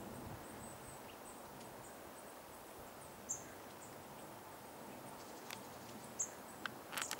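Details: Goldcrest in Dwingelderveld, Dwingeloo, Holland, on 10 January 2016, giving very high, thin, brief call notes, one after about three seconds and another roughly three seconds later, with a few faint ticks over steady background hiss.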